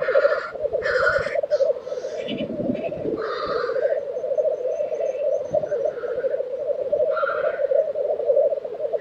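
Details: Black grouse at a lek in Tiveden, Sweden, April 2023: a steady low bubbling, cooing chorus runs throughout, broken by several harsh hissing sneezes, some of them rising, with short thumping sounds below.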